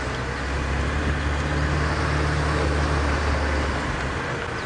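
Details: Loud idling vehicle engine drones throughout, with a steady low hum and broad road-like noise during a morning safari drive; no animal calls stand out.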